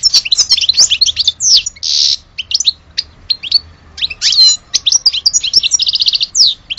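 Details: European goldfinch, Algerian bird, delivers a long, fast, jumbled twittering song with a harsh buzzy note, clipped chirps, downward sweeps and a closing rapid trill, recorded near with little background.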